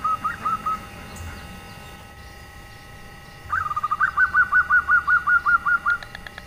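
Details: Local female zebra dove giving a nyelir-type call used to lure males that are reluctant to sing. A few short whistled notes, then a pause, then a quick run of about a dozen even, hooting notes at a steady mid pitch.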